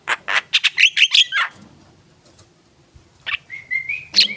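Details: Javan myna: quick harsh chattering notes and a few whistles, a quiet pause, then a series of level whistled notes and one more squawk.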